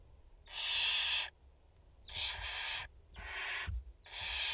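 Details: Four barn owl chicks and their mother at a French nest, 30 August 2021: four loud rasping hisses of just under a second, separated by brief pauses, with occasional thumps below.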